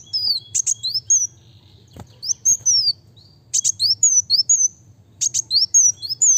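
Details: High-pitched kolibri wulung sunbird song in bursts: sharp buzzy double ticks, then quick falling whistled slurs, three phrases separated by brief gaps, with a faint click in between.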